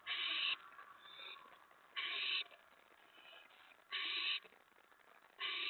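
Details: Owl at the nest during a mouse delivery before dawn, 15 May 2017: harsh, breathy hissing screeches about half a second each, repeated four times roughly every two seconds, with soft rustling between them.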